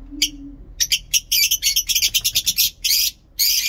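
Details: Rapid, scratchy lovebird chatter in the long ngekek manner: a dense string of shrill chirps about ten per second, broken by one brief pause. A short low tone is heard at the beginning.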